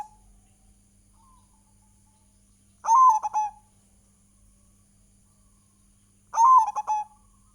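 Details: Local Indonesian zebra dove (perkutut) singing energetically as a lure song. Two loud cooing phrases about three and a half seconds apart. Each opens with a drawn-out coo and ends in a quick stutter of shorter notes over near silence.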